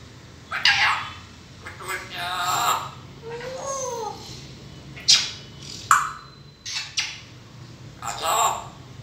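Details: A talking grey parrot mixing raspy speech-like syllables with a clear, smooth whistled note that rises and falls midway, followed by several more short mimicked word bursts over a faint hum.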